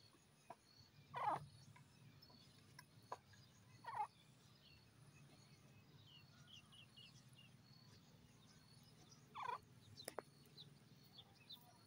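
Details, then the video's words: Grey francolin, locally called titer, described as croaking: three short, harsh, rasping bursts at irregular intervals several seconds apart, heard faintly over a steady low background hum. "The croaking of a partridge,titer awaaz"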